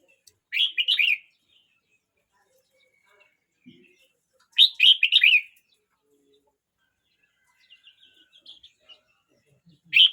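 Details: Song of a Red-whiskered bulbul, 12 months 29 days old: three loud, clear warbling phrases of rapid up-and-down notes spaced about four seconds apart, separated by near-silence with a few soft chirps.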